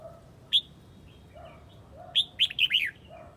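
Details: Red-whiskered bulbul, Huế type, calling the flock: one sharp whistle, a pause, then a rapid chain of four slurred, descending whistled notes; softer low hooting tones in the background.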